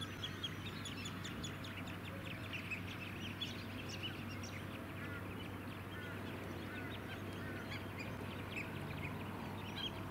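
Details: A flock of White-headed Stilts, also called Black-winged Stilts, on mudflats at Scarborough, Queensland, in July: dense overlapping short yapping calls from many birds over a steady low engine drone.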